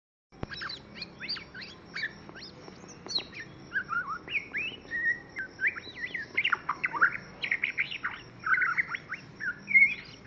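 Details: A young white-rumped shama (Copsychus malabaricus) sings a rich, varied run of clear whistles, slurred notes and quick chips, over a thin steady high-pitched background tone.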